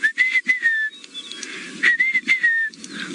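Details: Rufous-naped Lark, one of many calling all around, Masai Mara, morning of June 13, 2017: clear, slurred whistles, rising then falling, in two quick bursts, over a low rumble and faint background noise.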